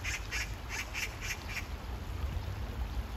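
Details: Oriental magpie in hot weather by water giving a clear run of six loud, harsh kkak notes about a quarter second apart, then quiet except for low rumble and a few soft knocks.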